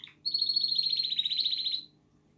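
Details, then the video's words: A pet male canary, said to sing because he is happy and healthy, gives a single rapid buzzy trill lasting about one and a half seconds, slightly falling in pitch, against a quiet background hum. "Canary sings"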